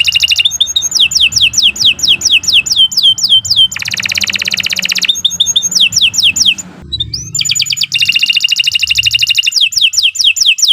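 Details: Canary song meant as a training master: repeated down-slurred whistles, a dense buzzy trill, brief pauses, and more fast rhythmic whistled phrases, sung loudly with a faint low hum beneath.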